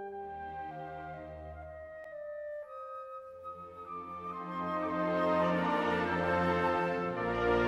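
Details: Flute melody over soft orchestral strings, with sustained notes that swell louder toward the end and no animal voice.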